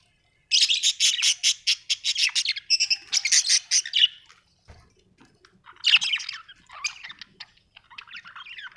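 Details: Budgerigars kept as pets at home warble in a fast stream of buzzy, clicking pulses for several seconds, then break off and resume with scratchy chirps and squeaks.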